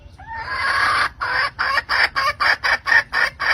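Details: Hen calling to a rooster at the end of the season: a rising opening note, then loud harsh clucking bursts repeated about four times a second in a steady run.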